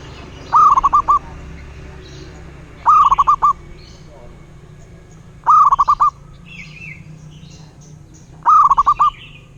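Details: Four repeated cooing phrases from a local wild zebra dove, about every two and a half seconds. Each is a rising note then a quick rolling string of short coos, with faint higher bird chirps in the background.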